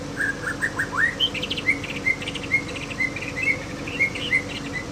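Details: A white-rumped shama in Aceh, Indonesia, imitating a canary; a run of quick clear whistled notes and short rising chirps, repeated about twice a second, over a faint steady hum.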